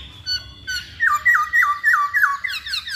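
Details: Hwamei delivering a run of five or six loud slurred whistles, each rising then dropping, about one every quarter second, preceded by softer high notes and followed by thin high chatter, indoor low hum beneath.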